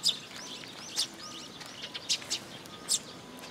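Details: Eurasian tree sparrows at a feeding spot on a post, Tenmangu shrine, 26 June 2022: bright high chirps interspersed with thin curving twittery notes, a lively, uneven chatter.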